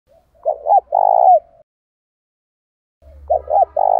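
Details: Spotted dove used as a decoy to lure and excite wild doves, from daily training calls of male and female birds: one full cooing phrase of short hooked notes around a rolling purr, then, after a pause, the next phrase begins.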